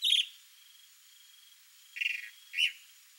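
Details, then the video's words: Chalk-browed mockingbird male singing to impress a female: a harsh burst, a quiet gap, then two shorter raspy notes close together against a steady faint background whine. "CHALK-BROWED MOCKINGBIRD male sings showing off to female (MIMUS SATURNINUS), SABIÁ-DO-CAMPO."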